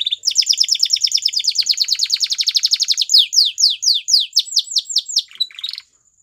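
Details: Singing Belgian canary delivering a long, fast, even trill of rapid notes, then slower, louder downslurred whistles, ending with a short buzzy flourish.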